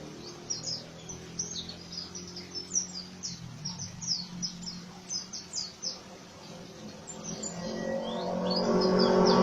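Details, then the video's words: Oriental white-eye delivering a coarse ngriwik song, dense high chirps and short slurred notes repeated several times a second, while a low hum and a growing rushing noise take over toward the end. "BURUNG PLECI NGRIWIK KASAR"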